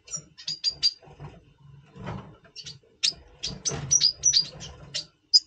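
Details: Double pastel red siskin in breeding condition, November 2023, before breeding: bright high chirps and short whistled notes in loose bursts, with a quick twittering run near the end over faint low rumbling.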